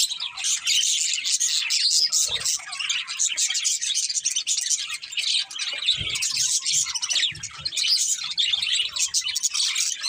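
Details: Budgies produce a continuous mass of high twittering and chattering notes, densely layered, with occasional louder clicks.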